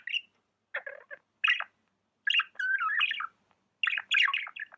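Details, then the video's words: Budgerigar kept as a pet, uttering short harsh chirps, then a longer, squeaky, wavering warble and a final burst of busy chatter. "Amazing budgie chirping sounds"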